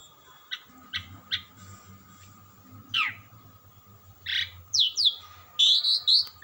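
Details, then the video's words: Asian pied starling gacoran bird singing: several short sharp clicks and a downward swoop at first, then louder harsh notes and high sweeping whistles toward the end, with a persistent low hum. "jalak Suren suara ya merdu gak mau berhenti bunyi"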